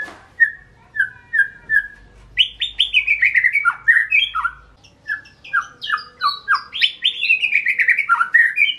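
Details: Song of a white-rumped shama: a few spaced whistled notes open, then dense, tumbling phrases of liquid whistles that slide up and down, with brief pauses between bursts and a faint low hum beneath.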